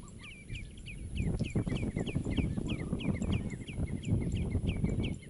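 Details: Coastal birds among mangroves on Aceh's east coast in Sumatra, Indonesia: a quick, continuous string of short, high, down-curving chips after a brief quiet start, with heavy low background rumble.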